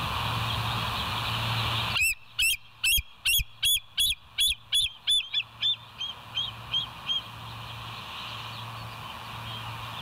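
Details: Bald eagle calling at West End, caught by a live nest cam on 29 August 2023 at about seven in the morning; a run of high, squeaky piping notes that fades into softer trailing chirps, over steady hum.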